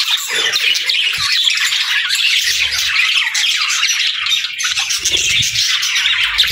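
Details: Budgies squawk and twitter in a rolling, noisy warble, with occasional faint low knocks in the background.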